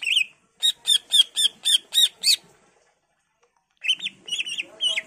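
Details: Greater green leafbird in varied full song, intended to coax other leafbirds to respond: a rapid string of about eight sharp descending chips, a pause, then warbled whistled notes.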